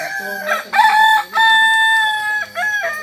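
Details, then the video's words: Kokok Balenggek rooster of Solok, West Sumatra, a native breed whose crow climbs in levels. One clear, loud crow moves through distinct steady steps, each held briefly and then dropped, about four segments in three seconds. "Ayam kukuak balenggek ayam asli solok sumbar"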